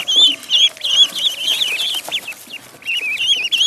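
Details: Duckling in a pond giving high thin peeps, each with a wavering rise and fall, in quick irregular bursts separated by short quiet spells.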